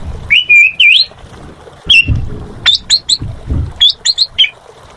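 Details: Asian pied starling giving a few slurred whistles and scattered sharp chirps, with low rumbling background noise.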